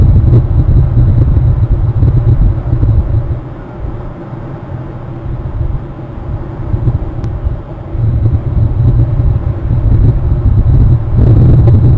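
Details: Only a deep, steady rumble like wind or a passing vehicle, with no animal voice.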